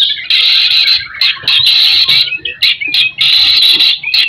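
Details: White-rumped shama giving harsh buzzy rattles in 'gacor' song meant to stimulate other shamas, loud bursts broken by brief pauses and a few quick chips.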